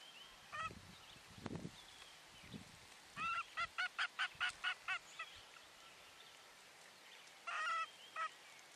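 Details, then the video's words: Nesting female common loon sounding the alarm over something seen out on the lake while her second chick hatches, 9 July 2023. A burst of about seven quavering, laughing tremolo notes, then a shorter run near the end, with small birds calling faintly. "Mom Alerts"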